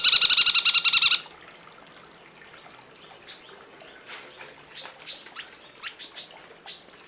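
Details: Cungkok song as a tutoring recording for cage birds: a rapid, rattling trill of evenly repeated ringing notes lasting about a second, then quieter scattered chirps and short sweeping whistles over faint background hiss.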